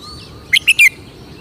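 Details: Red-whiskered bulbul, a Thai cage bird valued for its characteristic song style, gives a single brisk phrase of three loud, liquid whistled notes, the final one longer and sliding downward.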